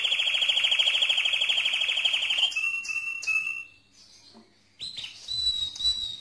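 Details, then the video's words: A mosaic canary sings a loud rapid rolling trill for over two seconds, followed by level whistled notes, a brief pause, and bright clipped whistles repeated at the close. "le Chant le plus fort de canari mosaïque"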